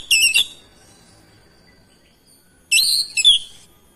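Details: Magpie-robin answering a rival singer with two separated high phrases, each a quick buzzy rattle sliding into a sharp whistled note, divided by roughly two seconds of quiet.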